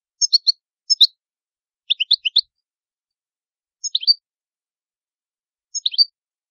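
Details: Italian goldfinch giving short, high twittering chirps in small clusters of two to four notes, spaced about one to two seconds apart, against complete silence.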